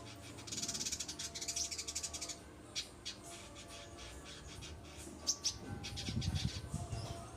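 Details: Master recording of a white-rumped shama singing, used to train other birds: a rapid rattling trill, then scattered sharp whistled notes and a short chattering burst, with low rumbling noise beneath.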